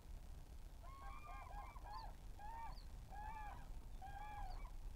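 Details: A large group of common cranes, recorded on 8 May 2023, call in loud, rolling trumpet notes, several birds overlapping about once a second, over a steady low rumble of wind.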